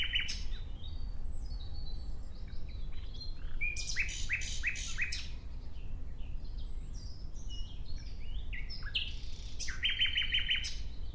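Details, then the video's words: A nightingale's varied song: a sharp opening note, thin whistles, a loud fast rattle of repeated strokes, a long stretch of assorted whistled notes, and a closing burst of quick repeated notes. "Relaxing clear sound of Nightingale"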